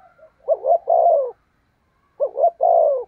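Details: Decoy spotted dove luring wild doves with two matching low coo phrases, each a short double note followed by a longer hollow coo, with a silent gap between them.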